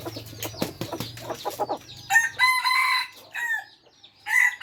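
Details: An F3-generation red junglefowl crowing in a hoarse, segmented burst after some thumping and clicking noises, then a short final note, with a brief spoken word nearby.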